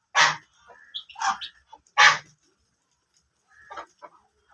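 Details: Black ducks giving three loud, harsh, rasping quacks at irregular intervals, followed by softer, scattered nasal calls near the end.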